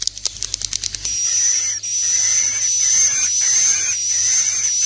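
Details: Swiftlet roosting lure call, 'inap plus' style for indoor use: a few sharp clicks open, then a long buzzy, hissing high chirr with a thin whistled tone on top, broken by brief gaps.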